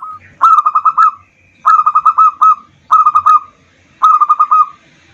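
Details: Zebra dove of a local strain singing as a lure for other doves: four clear phrases, each a quick rolled series of about five to seven bubbling coos ending in a drawn-out note, roughly one phrase every 1.2 seconds.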